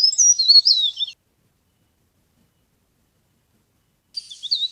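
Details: Leaf warbler sound meant for luring birds into traps: a one-second run of thin, high, wavering notes, then silence, then a second fast burst of twittering starting at the end.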